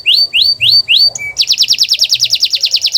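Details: Canary song recorded as a master to coax non-singing canaries: four slow, rising whistled slurs, a short pure tone, then a rapid, rattling trill of repeated notes.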